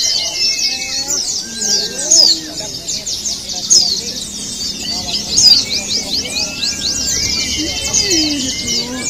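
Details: Chorus of pleci (white-eyes) in a simulated singing contest, used as a lure to prompt caged birds to sing: dense, rapid high twittering and chirping runs overlapping throughout, with faint lower chirps and background voices.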